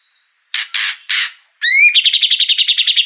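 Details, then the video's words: Magpie-robin song in a 2021 training recording: three harsh raspy notes, a rising whistled slur, then a fast even trill of sharp high notes. "MASTERAN MATERI MEWAH MURAI JUARA"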